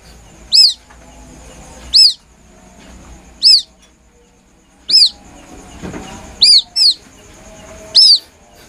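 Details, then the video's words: Plaintive call of a young white-breasted waterhen, played as a lure: seven shrill, down-curving peeps, mostly spaced over a second apart, two coming close together near the end, against quiet background noise. "Suara anak burung ruak ruak asli nelangsa"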